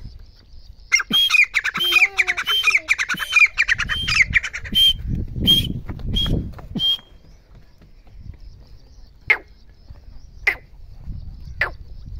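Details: Female grey francolin: a quick series of harsh, squawking repeated notes, then a few spaced, sharp clicking sounds over low rumbling background noise.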